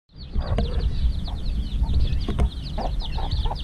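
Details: Chicks hatched just over a week ago, at evening feeding: a dense chorus of high, downslurred peeps repeating rapidly throughout, with low rumbling background noise and a few lower clucking notes.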